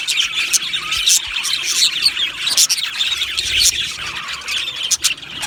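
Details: Australian budgie colony in an aviary, many birds chattering together in a steady stream of high chirps and warbled squeaks, with a few louder sharp notes standing out.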